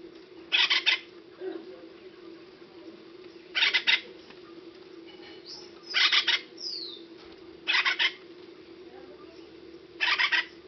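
Acorn woodpecker gives harsh, raspy bursts of two or three quick notes, repeated every two to three seconds over a steady low hum.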